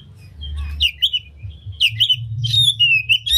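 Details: Oriental magpie-robin singing with open tail, played to excite other magpie-robins into singing; short clear whistled notes and slurred phrases in small groups, ending with longer sweeping whistles over low hum.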